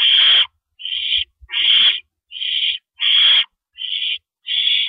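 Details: Owl at its nest before dawn, about 4:30 AM on April 4, 2012, as adults bring in and carry off rabbits. Harsh, hissing screeches, each about half a second long, repeat roughly every second with short silent gaps.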